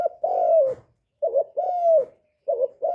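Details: Spotted dove coo for stimulating decoy and male doves: long smooth falling coos alternating with short trembling notes, low and hollow, in a quiet close recording.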